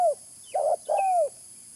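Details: Spotted dove call used as a lure: a brief fragment with one falling coo, a short burred double note, then a long hollow coo sliding downward, over a steady faint hiss.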